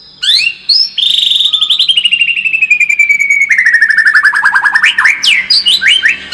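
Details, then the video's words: White-rumped shama song used as a lure to make the bird more combative: a few sharp rising whistles, then a long run of rapid repeated notes sliding steadily downward, ending in quick rising upslurred whistles. "SUARA PANCINGAN MURAI BATU AGAR MENTAL SEMAKIN FIGHTER"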